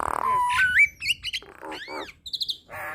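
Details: Nias hill myna song made of mixed phrases: a rough burst, then clear rising whistles, arched whistled notes and brief bright chirps, ending in a harsh nasal note.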